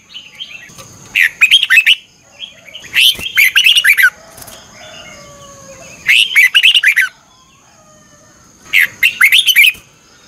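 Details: Red-whiskered bulbul singing in the morning, 'ché căng lửa' style with a double-twisting voice, a lure for training birds: four strong bursts of clipped, warbling notes spaced irregularly, two to three seconds apart, with soft quieter twitters and a steady high whine between.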